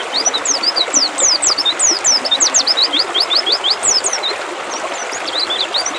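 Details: Mountain white-eye song for coaxing a bird into full song: almost continuous very high, quick slurred chirps and short trills for six seconds, against a persistent watery hiss.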